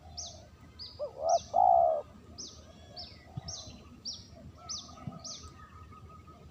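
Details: A spotted dove's lure call: a brief rising coo, then a drawn-out, even coo that fades. Sharp, high downward chirps from another bird repeat rapidly throughout, and a faint thin tone runs in the background.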